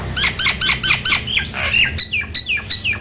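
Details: Nias hill myna sound meant to prompt quiet mynas to respond and sing freely: a fast run of about a dozen bright, squeaky downslurred notes, closely spaced and ringing.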